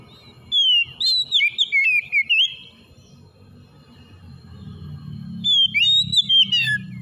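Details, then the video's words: White-rumped shama singing to encourage a stressed bird to sing: a fast run of whistled, swooping notes, then a quiet gap with low background rumble, then a second shorter burst of whistles. "KACER SETRES MACET BUNYI SEKALI MENDENGAR LANGSUNG GACOR"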